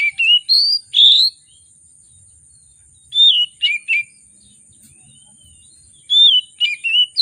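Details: Lively oriental magpie-robin (kacer) song with a rich repertoire, played to spur hard-to-start birds into singing: clear fluting whistles and slurred notes in short clustered bursts, with gaps of a second or two between bursts, faint constant high-pitched hiss behind.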